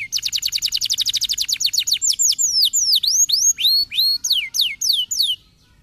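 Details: A canary sings to prompt lazy caged canaries into song, starting with a very rapid, even trill. It then slows into loud swooping whistles that dip and rise, followed by falling slurs before stopping abruptly near the end.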